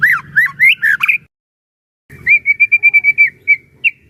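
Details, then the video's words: White-rumped shama song played to provoke and train other shamas: a burst of rich slurred whistles, a pause, then a fast run of about ten even repeated whistled notes and a final sharp note, with a low hum beneath. "burung murai batu gacor AMPUH buat PANCINGAN dan MASTERAN murai batu agar bunyi GACOR EMOSI"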